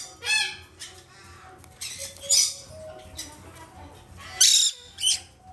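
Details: Hand-reared Black-headed caique chicks, two females from a domestic breeder, produce loud scratchy squawks in separate bursts, with harsh shrill peaks and softer nasal notes between them.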